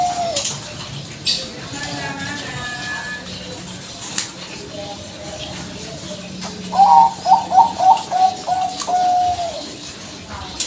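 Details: Bangkok-type zebra dove cooing to lure other doves into replying: after faint low background coos, a clear trilled, bubbling phrase rolls out near 7–9 seconds, with quieter cooing from other birds underneath.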